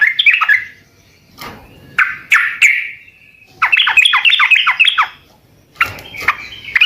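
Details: Sooty-headed bulbul singing persistently so that other birds will answer: scattered bright calls, then a fast chattering string of warbled, downward-slurred notes, ending in a few harsher chirps.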